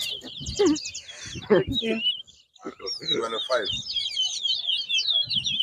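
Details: Large-billed seed finch, known locally as towa towa, in a 2022 whistling competition at Bath Settlement, Guyana. Fast warbled high phrases, briefly pausing midway, heard alongside people talking close by.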